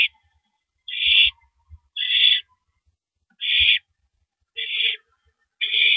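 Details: Owl feeding on a big rabbit, 3:33 AM, April 9, 2012; five harsh, noisy screech bursts, each under half a second, repeated roughly every second, with occasional soft thuds.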